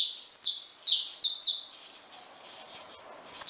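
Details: Wild saffron finches visiting a feeder: four strong, buzzy, descending notes at the start. A near-silent stretch follows, and a last note comes at the end.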